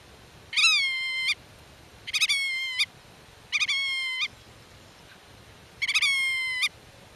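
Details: Territorial black-tailed godwit at its nest, calling to chicks hidden in grass and chasing intruders. Four long nasal calls, each opening with a brief stutter before a steady, slightly descending tone.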